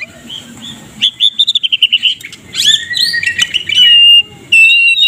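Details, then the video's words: Medan white-rumped shama giving morning song as a model for other songbirds: a fast trill of high notes, then jumbled sweeping calls and long, loud, steady whistles. "KRETEKAN MURAI MEDAN MENJERIT NEMBAK RAPAT COCOK UNTUK MASTERAN DI PAGI HARAI"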